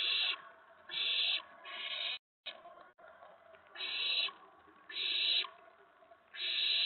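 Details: Evening at an owl nest, April 19, 2017, shortly after 8 PM, with the adults delivering food to the owlets; loud rasping hiss bursts repeat roughly every second, broken by a brief silent dropout.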